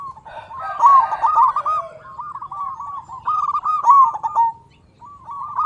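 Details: Indonesian local zebra dove in loud song, used to stir other zebra doves to sing. Stuttering bursts of low coos alternate with rolling, bubbling phrases, separated by brief quiet gaps.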